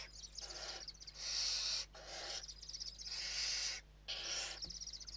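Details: Western barn owls feeding in the evening inside a nest in Spain, 29 November 2023: repeated harsh screeching hisses about a second long, alternating with quick stuttering chitter notes.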